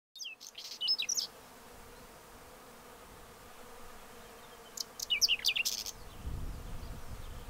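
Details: Whinchat singing: two brief, scratchy high twittering phrases, each under a second and seemingly cut off abruptly, separated by a long silent pause, with low rumbling background noise toward the end.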